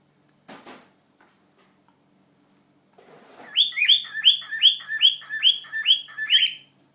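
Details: Two young male cockatiels under a year old, a heavy pied and a white-faced pearl pied, courting a female cinnamon pearl over 16 years old, whistling quick strings of bright, rising, slurred notes, about two or three per second.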